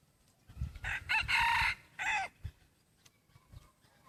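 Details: Crowing F2 crossbred rooster, 50% red junglefowl, black-and-red feathers mid-molt, voice slightly changing: two brief opening notes, a long rasping middle phrase and a separate drooping last note, followed by faint thumps.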